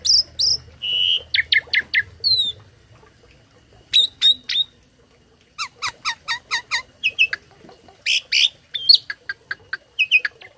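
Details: Asian pied starling, a tame bird kept as a song tutor for other cage birds, delivering bursts of rapid repeated clipped notes, high whistles and mixed chirps in quick-changing phrases, with short silences between bursts.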